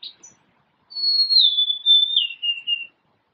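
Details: Three mournful whistled notes stepping downward, sung by a golden-crowned sparrow, a short high chip just before, otherwise silence.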